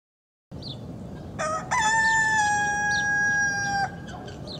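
A rooster gives one full crow: a short rising start, then a long, strained, level note held for about two seconds before breaking off, over a steady background hiss.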